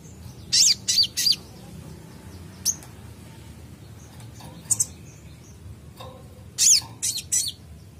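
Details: Purple-throated sunbird (kolibri ninja), described as a gacor singer used to prompt untrained birds to respond: scattered high, thin chirps in short clusters near the start and end, separated by quiet stretches with low background hum.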